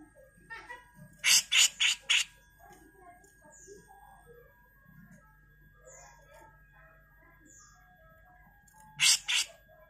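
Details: Grey-cheeked bulbul master recording for training songbirds, in the rough full 'gacor mbeset kasar' style: two bursts of harsh, buzzy, broadband notes, first a quick run of four, then a single one near the end, with faint twittering between.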